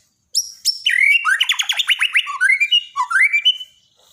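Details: White-rumped shama, Borneo type, in a daily training song for silent shamas: two sharp high notes, then a fast run of descending slurred whistles and buzzy trills, ending in rising warbled phrases.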